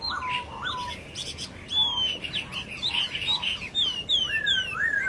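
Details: Masked laughingthrush singing in the wild: a series of clear, downward-slurred whistles given in quick succession, mixed with shorter chirps and chatter from nearby birds.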